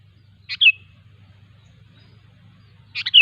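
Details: Two bubbly phrases from a sooty-headed bulbul in the wild, each a quick clipped note followed by a slurred, falling whistle, spaced about two and a half seconds apart over a steady low hum.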